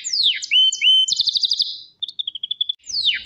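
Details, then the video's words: Canary phrase: falling sweep, two short whistles, a quick bright trill, a soft warbled run, then another downward swoop. "KANARYA ŞAHANE ÖTÜYOR"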